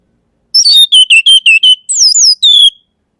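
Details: Orange-headed thrush singing a descending opening note, then six short, evenly repeated whistles, followed by two swooping high slurs falling in pitch and a long drawn-out descending whistle. No other sounds.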